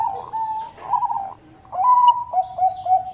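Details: Zebra dove of the Bangkok type in lively song meant to prompt rivals to reply: bubbling cooed phrases, a short pause, then a clear drawn-out coo followed by rolling notes, with faint high twittering behind.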